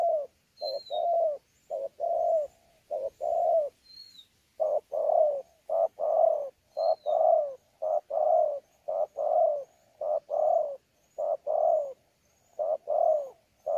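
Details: Spotted dove, a newly caught wild bird recorded at Sa Thầy on 26 November 2019, delivering a long run of contest-style coos with gù notes: paired mellow hoots, the second drawn out and sagging, in a steady series.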